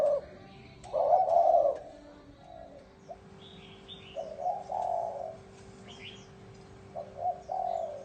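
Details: Spotted dove cooing in the bronze-bell style, used to lure wild doves and stir both sexes; soft, hollow coo phrases with gaps between them. Faint higher chirps from small birds and a steady low hum run in the background.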